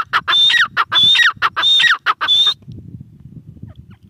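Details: Grey francolin giving loud, scratchy repeated phrases with a high whistle in each, roughly two per second for about two and a half seconds, followed by low background noise.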